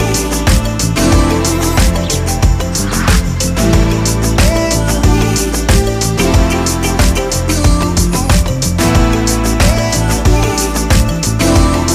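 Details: Steady rhythm-and-blues music with a strong bass beat plays throughout, and no animal can be heard.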